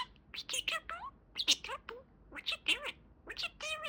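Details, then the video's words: Pet budgerigar talking indoors: quick, high-pitched, scratchy mimicked speech in short bursts of syllables, with phrases like "what you doing" and "good boy", each burst separated by brief pauses. "Talking Parakeet"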